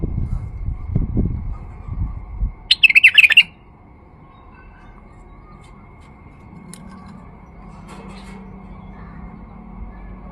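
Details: White-eared Bulbul male singing to lure bulbuls: after low thumping noise, one clear burst of rapid warbled notes, then quiet for the remaining seconds.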